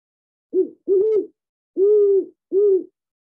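Great Horned Owl giving a deep, soft hooting series: two short hoots, then two longer, even hoots, all low and muffled.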